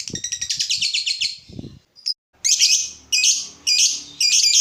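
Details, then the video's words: Lovebird singing hard, used as a lure to excite other lovebirds: a fast pulsed chatter, a brief pause, then loud harsh squawky bursts repeated roughly every half second. "Pancingan lovebird terbaik bikin lovebird anda panas"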